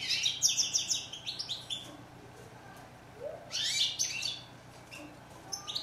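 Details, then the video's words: Goldfinch singing in two lively bursts of liquid twitters and quick rising slurred notes, separated by a quieter pause with soft scattered chips. "Song of bird goldfinch"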